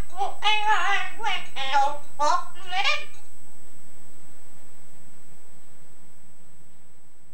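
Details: Household Yellow-naped Amazon mimicking its owner's singing: a quick burst of about six clipped, nasal, sung syllables in three seconds, then silence on old tape.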